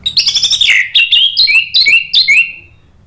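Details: Caged orange-headed thrush song used as a lure to stimulate stalled birds: rapid chattering notes leading into a series of clear whistled phrases that dip and sweep, roughly two per second, then trailing off.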